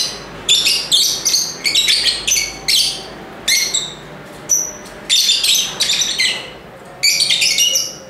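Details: Busy lovebird chirping: dense clusters of scratchy, piercing squeaks, often two or three in quick succession, then brief pauses before the next flurry.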